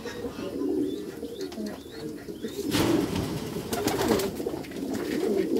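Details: Low murmuring coos from Meulemans racing pigeons kept in a backyard loft, with a burst of flapping or scuffling noise midway.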